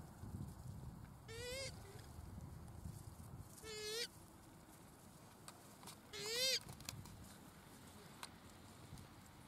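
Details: Pukeko, or Australasian swamphen, filmed in April 2019 at Waterford park, Christchurch: three loud, harsh, rising-then-falling screeches spaced a couple of seconds apart, over soft background rumble.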